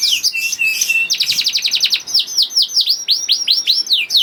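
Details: Young canary singing as a lure for quiet canaries: a short scratchy twitter, a rapid rolled trill, then evenly spaced looping whistled notes repeating about three per second.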